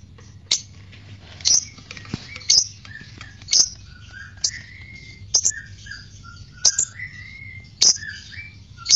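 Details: Lovebird, fighter type, heard as a lure to stimulate ngekek singing: sharp, high chirps about once a second, with softer, lower, wavering whistled notes drifting between them and a low hum underneath.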